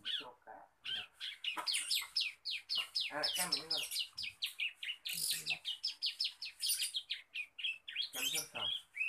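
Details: Juvenile male Bar-winged prinia practising its song: a rapid, unbroken chatter of high, thin chirps and buzzy downward notes, with faint human talk mixed in a few times.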